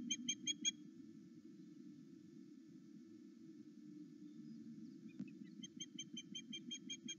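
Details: Excited osprey greeting its returning mate at a Loch Arkaig nest camera, 08:00 to 09:00: a short run of piercing whistled chirps, a pause broken by one knock, then a longer steady series of about three chirps per second.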